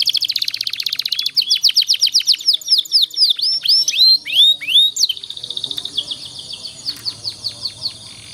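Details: Canary master song aimed at helping young canaries sing long rolls: a fast trill gives way to curving whistled notes that speed up, then softer spaced chirps fade out.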